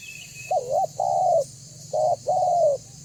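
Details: Spotted dove lure call: a wavering coo and a long drawn note, repeated twice in three seconds over a low hum and faint high whistle.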